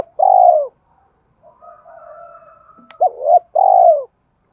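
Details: Spotted dove cooing as a lure to stir up training decoy birds: a long, low, falling purr, a stretch of soft background twitter with one sharp click, then a short hooked note and another long descending coo.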